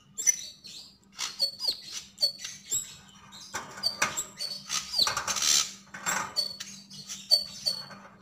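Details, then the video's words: Javan grey-throated white-eye delivering quick high chirped notes and twittering phrases, repeated steadily with short gaps, some harsher scratchy bursts mixed in, over a faint low hum. "Sogon sogok ontong gacor dan ngobra"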